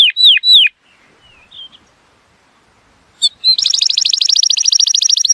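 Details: Atlantic canary song used to teach young birds and stimulate males to sing: two sharp, falling whistled notes, a pause with a few soft chirps, then a fast, buzzy, high trill of evenly repeated notes.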